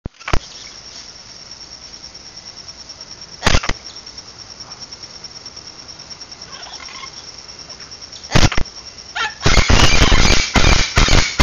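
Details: Severe (chestnut-fronted) macaw at a foster home gives harsh, raspy squawks, a few spaced ones, then a rapid noisy burst near the end, over a steady high-pitched whine.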